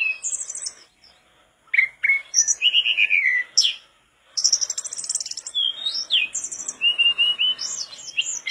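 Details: Mangrove blue flycatcher in full song: fast runs of sweet descending whistles mixed with dry buzzy trills and sharp chips, two short silences, then a long continuous outpouring of varied notes.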